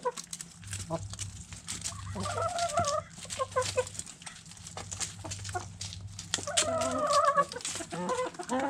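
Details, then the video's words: Backyard hens eating food scraps, clucking: several harmonic drawn-out clucking calls, strongest near the end, among pecking clicks and a low buzzing hum. "Backyard Chickens Food Scraps Mukbang Sounds Noises Hens Clucking Roosters Crowing!"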